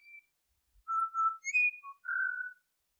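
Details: Pied Butcherbird giving a short sequence of pure whistles: a steady mid note, a brighter higher slur, a brief low note and a long, full final whistle, in a quiet setting.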